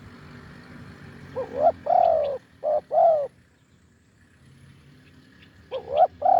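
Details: Wild spotted dove with a deep voice, recorded while luring with a decoy: two phrases of soft rising then sustained coos, separated by a quiet stretch of low background hum.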